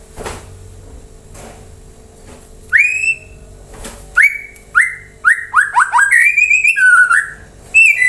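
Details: White-rumped shama singing to draw replies from other birds: after a quiet start, clear upslurred whistles, then faster falling and rising whistled notes strung into a lively phrase, with a steady faint hum behind.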